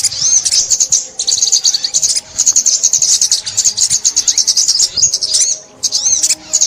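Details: Sunbird (ốc mít) heard during 2021 trapping, a long run of high, shrill twittering song with fast repeated notes and looping whistled slurs, pausing briefly near the end.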